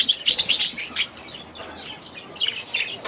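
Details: In their aviary, budgies give quick bright chirps in rapid succession for a second, fall quieter, then resume with a short burst of twittering notes.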